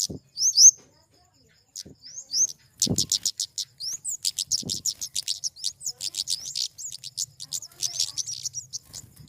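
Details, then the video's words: Flowerpecker singing very high, thin notes. A few sweeping chirps lead into a fast, steady run of short ticking notes, with occasional low thumps and soft rustling underneath. "Suara burung kemade"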